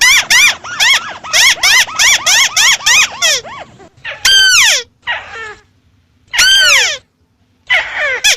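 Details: White-browed crake starting with a rapid chattering series of arched nasal notes, then switching to long, harsh, falling squeals with pauses.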